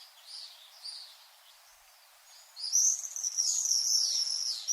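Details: Faint distant screeches at first, then common swifts burst into loud, shrill, trilled screams lasting the final two seconds.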